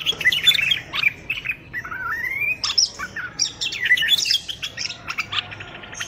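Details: Common bulbul from Morocco in song, meant for training chicks: a varied medley of chirps, slurred rising whistles and squeaky notes that keeps going, loud throughout.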